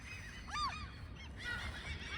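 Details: A mother gull guarding chicks on the ground in a school yard, chasing everybody away, gives a loud, harsh, honking call with a rising then falling shape, then a second rougher burst, over a steady background hum.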